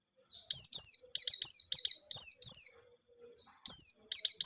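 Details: White-eye singing in a lively wild style with sharp notes, played to get untrained birds singing: rapid strings of high, thin descending chirps with a short pause midway before more paired notes.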